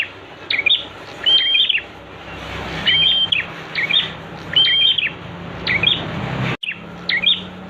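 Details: Master song of a prenjak for teaching birds: repeated phrases of high chips and short level whistles, about one phrase per second, with a brief cut near the end and a faint low hum.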